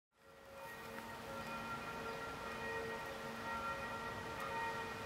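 Steady mechanical tones and hiss fade in and hold, like distant machinery or a siren, with no animal calls.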